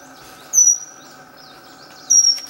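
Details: Pygmy wren-babbler, a tiny, nearly tailless babbler of mountain forest floor, giving two loud, thin, high whistles about one and a half seconds apart, each sliding slightly downward, over a faint steady hum.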